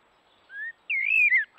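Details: Common blackbird singing in the morning by a watering hole: a short rising whistled note, then a longer mellow fluting warble that wavers and ends in a falling slur.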